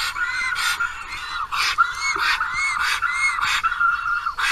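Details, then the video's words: On 10 April at a nest camera in Karula National Park, a black stork calls for a mate that failed to return. Rising-falling whistled notes come irregularly, interrupted by loud broadband rushing bursts, probably wind. "аист зовет подругу"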